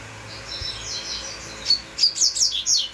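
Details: Double-collared seedeater with soft high warbled notes at first, then a burst of loud, sharp, rapidly repeated chips; a faint low hum runs beneath.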